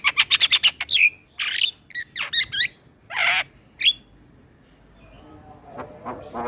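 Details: Male Asian pied starling singing for training other starlings: quick burst of clicking notes, then harsh rasping squawks and a short whistle before fading to quiet with faint chatter.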